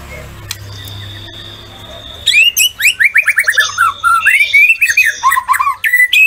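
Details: A White-rumped shama bursts into a rich, fast run of varied whistles and chattering notes after two seconds of low background hum; a recording of a vocal bird used to provoke captive shamas into singing.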